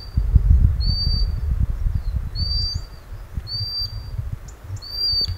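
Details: Common sandpiper calling its chicks near a river in the North of Scotland where it bred, captured on a Sony a6600; four thin, high, drawn-out whistles spaced about a second apart, one with a rising tail, over a deep murmur of running water.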